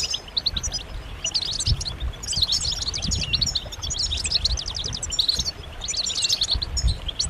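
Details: European goldfinches calling and singing together as a stimulating chorus for males; bursts of quick, bright twittering notes come in waves, dense throughout, over a low background rumble.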